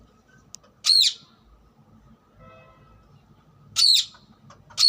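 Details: Wild rose-ringed (ring-necked) parakeet (Psittacula krameri) calling: loud, harsh, high screeches, one at the start and two near the end, over a faint low background rumble.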